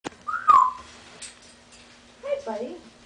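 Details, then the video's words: A pet grey parrot gives a clear whistled note that slides down, then, after a pause, a short nasal quack imitating a duck, over a low steady hum. "African Grey Laughing and Quacking Like a Duck"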